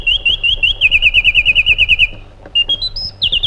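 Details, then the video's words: Iraqi bulbul (white-eared bulbul) delivering a fast rolling warble of about three notes per second for two seconds, a brief pause, then a short ladder of rising whistled notes. "Magnificent Harmony by an Iraqi Bulbul"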